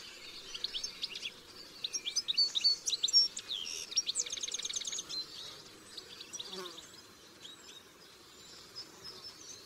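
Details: Wild European goldfinches singing freely: quick bright twittering notes and high tinkling phrases with a fast buzzy trill near the middle, dense early on and thinning to scattered softer notes toward the end, over faint background noise.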